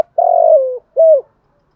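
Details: Spotted dove lure bird cooing at dawn to attract a flock: one long, slightly wavering low coo that drops at the end, followed by a shorter rounded coo.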